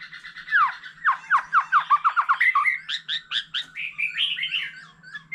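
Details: A mature forest white-rumped shama, singing many phrases with a laughingthrush, delivers a rapid descending series of slurred notes about five per second, then clipped high chips and a short warbling ending.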